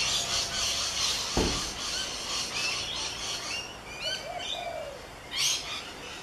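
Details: Rainbow lorikeets on the Gold Coast, recorded with a Canon SX50 camera: dense, overlapping high chirps and screechy chatter with short rising whistles, a brief loud burst near the end, and a low thump partway through.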